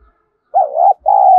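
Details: Spotted dove giving its luring call for wild doves: a wavering mid-pitched coo, then after a short break a second even, sustained coo, with a faint knock before the phrase.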